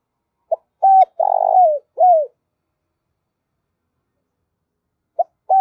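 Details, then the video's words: Spotted dove decoy call meant to stir birds for trappers. A short note, then a level coo, a long burry rolling note sliding down, and an arched final coo. A new phrase begins near the end. No other sounds. "Tiếng Chim Cu Gáy Mồi Kích Bổi Kích Trống Mái"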